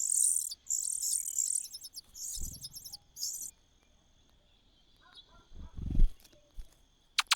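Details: Shrill, hissing bursts from a cuckoo in the nest fill the opening seconds, followed by quiet stretches, low rustles and a few soft knocks.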